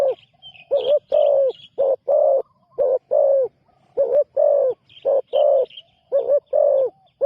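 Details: Newly trained spotted dove on its first outing as a ground decoy, cooing in repeated deep phrases of short and lengthened notes, with faint high chirps from another bird in the background.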